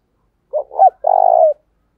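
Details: Decoy spotted dove calling to urge wild birds to answer: a soft double note, then a rising hoot, then a long, rough, purring coo that trails downward.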